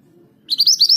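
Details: Brief burst from a scarlet minivet (mantenan gunung) singing rolling ngerol notes: five fast, piercing upslurred whistles after a moment of low background hum.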